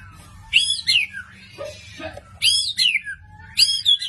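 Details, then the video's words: White-rumped shama from Medan, singing persistently with sharp 'tembakan' bursts: three loud high whistled phrases with sliding notes, separated by quiet pauses and a few soft lower notes. "murai batu Medan, super ngotot keluarin semua tembakan tajam?!!"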